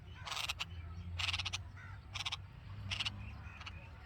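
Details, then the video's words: Hungry red-vented bulbul nestlings in the nest with their mother, chirping in four harsh, rapid, rasping bursts spaced about a second apart over a low steady hum. "Hungry Baby Birds: Red Vented Bulbul Nest With Babies And Mother Chirping Sound"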